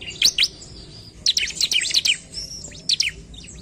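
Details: Bar-winged prinia song aimed at provoking rivals: two high down-slurred chirps, then a dense jumble of sharp, high notes, a thin whistle and a final short burst.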